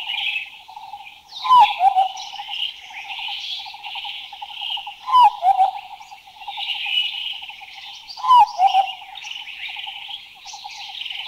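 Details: Large scimitar babbler giving a loud, abrupt mid-pitched call about every three seconds over a steady buzzing chorus of insects or frogs; recorded in a Thai national park (Khao Yai, Doi Intanon, Doi Suthep-Pui or Chae Son).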